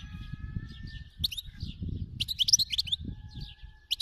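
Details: Wild-type European goldfinch singing: bursts of bright, tinkling, twittering notes and short buzzy trills high in pitch, broken by pauses, over a steady faint whistled tone and low background rumble.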